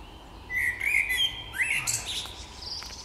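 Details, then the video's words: Spring songbird, a continuous warbling phrase of clear whistles that climbs in steps, breaks into a sharp rising sweep and ends on high thin notes. "Wiosenny śpiew ptaków"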